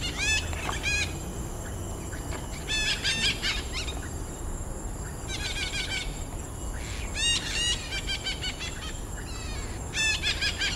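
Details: Red-breasted parakeet in a wooded patch of Pasir Ris Greenbelt, Singapore: bursts of harsh, rapidly repeated squawking notes every two seconds or so, over steady low traffic-like background rumble.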